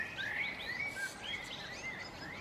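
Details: Common redstart singing to defend a territory with a nest, May–June 2018, while feeding young on insects: short whistled phrases around the middle register, repeated several times, over a soft background of other distant birds.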